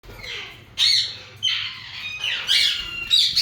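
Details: Yellow Indian ringneck parakeets, a breeding pair, giving harsh, buzzy squawks in short bursts about every second, some notes sliding downward, with quieter scratchy chatter between them.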